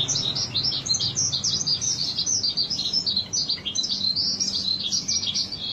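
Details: Wambi song for luring birds into singing: a dense, fast stream of very high twittering chirps with no break.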